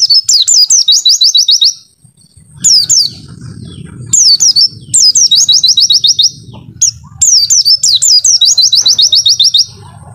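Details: Clear-voiced pleci, the Oriental white-eye, singing in a masteran recording: rapid strings of high, thin, down-slurred whistles in bursts. A steady low rumbling hum runs through the middle stretch.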